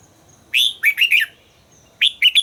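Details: During voice training a red-whiskered bulbul delivers a fluty phrase of four rolling notes, then after a short pause begins another similar quick, cheerful phrase.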